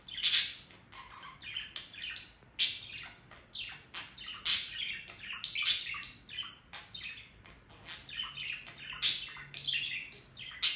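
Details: Long run of budgerigar chattering song, dense clicks and chirps with loud piercing squeaks recurring roughly every two seconds, over a soft low background hum.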